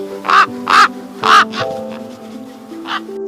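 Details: Common raven (Corvus corax) cry: three harsh, hoarse croaks in quick succession, then a fainter fourth after a pause, all over a steady bed of background music.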